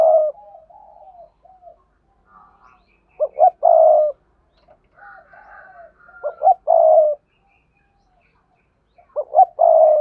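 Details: Spotted dove song for luring wild doves, in sa thúc, cooing and crowing forms: three deep hoarse phrases of two quick notes and a long burry coo, separated by soft murmuring coos and faint higher whistles.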